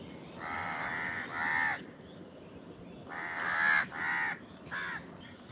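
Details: Crow at a feeding scene, crows squabbling over food; rough drawn-out caws, a pair then another pair and a short final one, over a steady background hiss.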